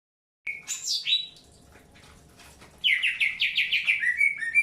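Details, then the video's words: Greater green leafbird during early pairing, kept birds; a high slurred whistle and sweeping notes, then after a pause a rapid series of descending whistled chirps repeated about three times a second. "PROSES PENJODOHAN AWAL BURUNG CUCAK HIJAU"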